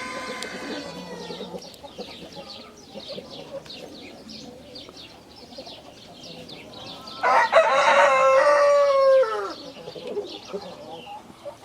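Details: Rooster giving a single loud, harsh crow of about two seconds that falls away at the end, after quiet background clucking and chatter from other fowl.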